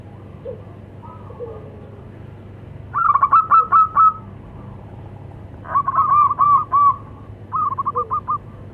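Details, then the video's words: Zebra doves, local birds, male and female answering each other; three loud bursts of rapid stuttering coos, each about a second long, with faint softer calls between. "Suara perkutut lokal saling sahut."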